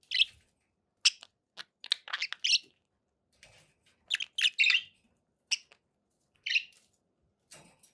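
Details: Scattered sharp chirps and brief scratchy warbles from pet budgerigars, clustered in short bursts separated by quiet gaps.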